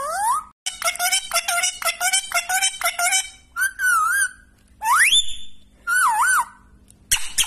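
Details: A pet Indian ringneck talking parrot chatters in rapid harmonic bursts, then gives long rising whistles and wavering warbled notes, clear and loud over a quiet background.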